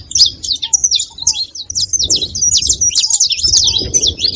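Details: Noisy saffron finches: rapid, bright, overlapping chirps and short trilled notes in a steady, excited chatter. A few soft, low, upward-curving coos sound behind them.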